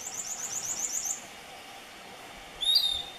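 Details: Piratic flycatcher at Puerto Paraíso, Misiones, in September 2015: a fast run of about nine thin, very high notes, then a brief pause and a single sharp, whining whistle that slurs downward.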